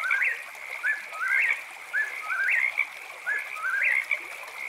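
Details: Eastern whip-poor-will calling after dark near a tent camp, four clear rising three-note whistled phrases spaced about a second apart, backed by a continuous high-pitched frog chorus.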